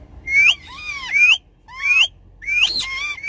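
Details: Pet ringneck parrots chattering on the back seat of a car: four loud whistled phrases, each a bright rising sweep followed by a lower falling note, spaced about a second apart over a faint steady hum.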